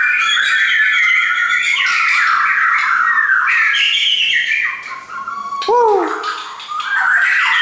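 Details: A dense chorus of whistled and warbled shama song from caged birds a friend brought over, ending with a sharp downward-swooping whistle and then rising, squeaky notes.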